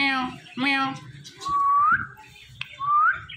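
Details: Pet talking Indian ringneck parrot gives two voiced, speech-like sounds, then two smooth rising whistles about a second apart, against faint low room noise.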